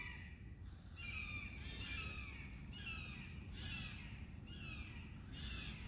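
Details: A couple of red-tailed hawks calling in the distance one morning along the Chassahowitzka River, central Florida: hoarse, descending screams, three about two seconds apart, over a steady low rumble of wind or water.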